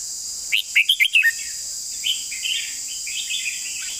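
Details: Red-whiskered bulbul long song: a loud burst of five or six quick, liquid warbled notes, followed by softer distant bird chatter and a steady high hiss.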